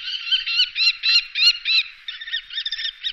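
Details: A common kestrel in the Wittlicher Tal (2018) utters a fast chain of rough, slightly buzzy high notes, each run together with the next, ending in softer chattering.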